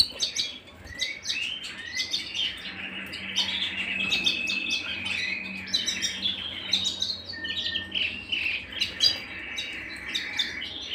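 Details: A canary at home pours out a dense, energetic song of rapid stacked chirps and rolling trills, almost without pause, the notes crisp and high.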